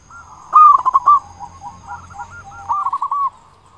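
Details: Local zebra dove (perkutut), used as a lure to prompt other doves to sing: a quick burst of four or five staccato notes, then a soft rolling, bubbling coo over about three seconds, over a faint low hum.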